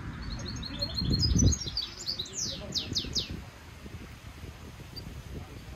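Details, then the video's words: Hybrid European goldfinch mule delivering training song: a run of rapid tinkling notes, then several loud descending swept whistles, with low rumbling noise and a brief louder thump underneath. "European goldfinch Singing Mule -Training - Jilguero Mulo - Carduelis carduelis - Stimulation song"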